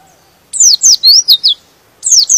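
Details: Brief white-eye phrase of five piercing, swooping whistle notes, then the start of another, sung to stir rival white-eyes into song.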